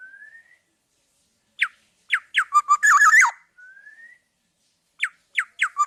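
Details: Gacor song of a black-naped oriole for tutoring other birds: thin rising whistles alternate with sharp descending fluty notes that build into a harsh, crackling phrase.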